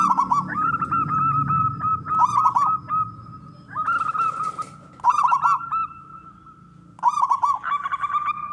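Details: Male zebra dove of local stock, singing to make other doves call: rapid rolling coo phrases every one to two seconds over a steady tone and low rumbling background.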